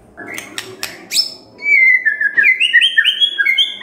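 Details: Morning white-rumped shama lure to set quiet birds singing: a few sharp clicks and ticks first, then a sustained run of clear whistles stepping up and down in pitch.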